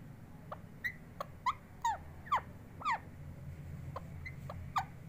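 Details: Pet parrot, claimed to be talking, makes short sharp chirps and brief falling squeaks with irregular gaps between them. A steady low room hum is heard behind them.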